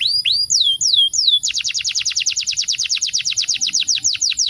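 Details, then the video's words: Canary singing a continuous rolling song, clear and loud with varied notes, used to provoke other canaries: a few high slurred whistles, then a fast even roll of rapid descending notes about six per second. "Kicauan ngerol kontinu dengan volume yang baik dan variasi nada."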